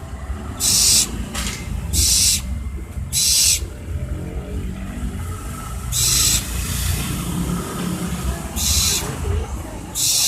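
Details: Barn owl (Tyto alba) giving harsh, hissing screeches, each about half a second long, spaced irregularly every one to three seconds over a steady low rumble.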